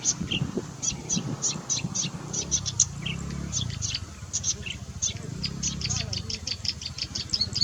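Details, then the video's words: Wild golden-headed cisticola giving a rapid, uneven series of short, high, sharp ticking notes, some in quick pairs, over a steady low rumbling background. "Suara Khas Cici Merah Di Alam Liar"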